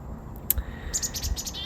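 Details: Chickadees outdoors give a few quick, high chips and thin notes over low background rumble.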